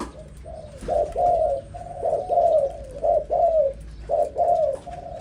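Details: Young zebra dove singing clipped, vibrating coo phrases that swell and fade, with rapid paired bursts separated by short pauses, against quiet background noise.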